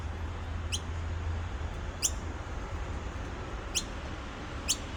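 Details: Baby noisy miner at Petrie Creek, Nambour: four short, thin, sharply rising chirps, spaced about one to one and a half seconds apart, over a steady low rumble.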